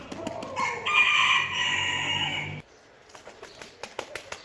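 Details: Rooster crow, a long strained note held for nearly two seconds, with clicking and tapping noises before and after.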